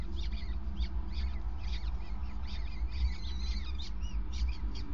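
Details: Peregrine falcons at the nest, 5 May 2019, 20:54, during a prey transfer by the male on the grating. Quick chattering notes and a few thin, curved whining calls run over a steady low machinery-like hum.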